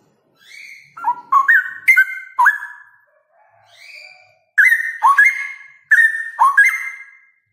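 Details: Male straw-headed bulbul singing a loud rapid-fire ropel song: rich whistled phrases that jump and slur between notes, in two bursts separated by a brief soft pause, with a faint rising note before each burst.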